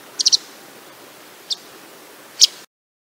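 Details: White wagtail in Denmark calling: a quick trio of sharp, high chips, then two single chips about a second apart, over a faint background hiss.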